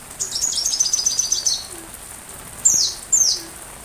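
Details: Sunbird singing for training a white-rumped shama: a high, scratchy, twittering run lasting over a second, then after a pause two loud, thin, falling whistles close together.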